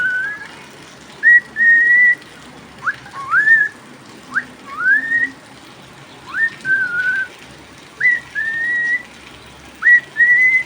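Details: Pet cockatiel in rainy weather: sharp upward-flicked whistles, several leading into long steady tones, spaced a second or two apart across the phrase, with rain pattering steadily behind.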